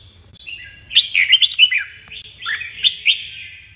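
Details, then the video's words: Captive red-whiskered bulbul in morning song training sings two quick bursts of bright, liquid, warbled notes at mid-high pitch, the second after a brief pause, over a faint low hum. "Luyện chào mào hót sáng"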